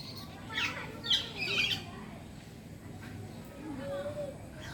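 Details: Five-month-old common hill myna from Aceh giving a few harsh, raspy squawks in quick succession near the start, then falling quiet over faint background noise.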